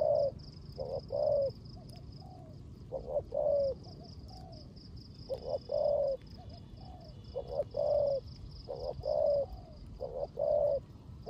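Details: During rain, a spotted dove used as a decoy gives 'rước gù' cooing. Groups of deep, rounded coos are followed by softer trailing notes with brief pauses between bouts, over a constant high pulsing insect-like buzz.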